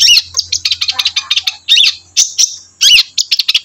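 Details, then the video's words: Long-tailed shrike, locally called cendet, from a peaceful countryside village, delivering a loud varied run of sharp chips, rapid chattering bursts and a few squeaky buzzy phrases, with short pauses between bursts and a faint low hum early on. "Backsound suara burung Cendet"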